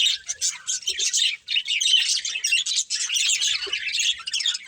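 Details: Budgerigars, a family group of pet budgies, chirping together in a dense, continuous chatter of high twittering notes and short squeaky warbles with brief pauses.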